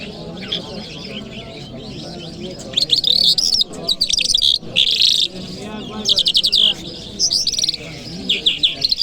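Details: Lark in Kabul city on a Friday morning, delivering a loud, rapid song of high buzzy trills, chirps and rattling note clusters in several bursts, with a soft murmur of voices underneath.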